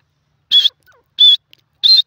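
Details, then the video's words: A francolin (teetar) gives three loud, shrill, slightly harsh notes, each about a fifth of a second long and evenly spaced about two-thirds of a second apart. "teetar ki awaaz"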